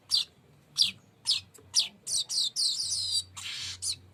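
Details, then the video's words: Weaver song of evenly spaced high chirps, then accelerating into close-packed rolling, buzzy phrases. "Tembakan NGEROL PANJANG BURUNG MANYAR"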